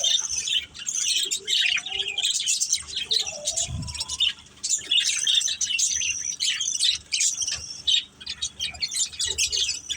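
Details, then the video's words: A budgerigar family plays, chirping in quick bursts of high twittering warbles and squeaks, with a few lower whistled notes early on and a dull bump near the middle. "Beautiful Budgies Chirping Sounds"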